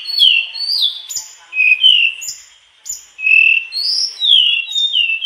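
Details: Mangrove blue flycatcher singing vigorously through its repertoire, giving sweet slurred whistles that rise and fall, separated by brief high notes and short pauses, each phrase different from the last.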